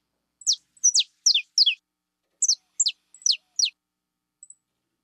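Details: Saffron finch of the 'fibra' type singing two short groups of four high, steeply falling chirps, with a faint high peep trailing at the end.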